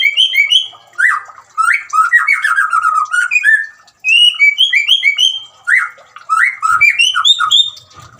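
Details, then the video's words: White-rumped shama song used to get a silent caged bird singing: loud varied phrases of rich whistles, trills and rapid chattering, with short pauses between bursts. "suara gemricik air dan siulan murai batu cocok buat terapi murai macet bunyi"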